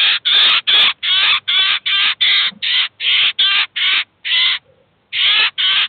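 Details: In Kaluga a Eurasian jay brings its chicks to a cheese feeder to feed and teach them: a regular chain of loud, grating rasps, about two or three per second, with one short pause.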